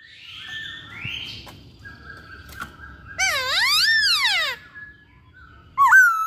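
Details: Chinese hwamei singing: faint warbled notes at the start, then a loud deep swooping whistle that dips, rises and falls, ending with a short bright upward-flicked note.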